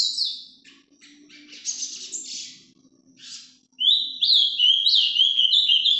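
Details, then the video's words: Azulão, the ultramarine grosbeak, performing the Paraná vinte vinte style, recorded live. Scattered soft clicks and twitters come first, then, after a short pause, a loud run of rising and falling whistled notes. A low hum sits underneath. "azulão Paraná vinte vinte ao vivo"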